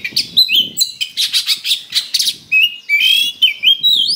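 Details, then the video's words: Oriental magpie-robin in a persistent fighting-lure song full of coarse fill-in phrases. Dense rasping notes come in quick succession, then sweet whistled slurs rising and falling near the end. "Suara Pancingan Kacer Super NGOTOT Gacor Tarung Full Isian Kasar"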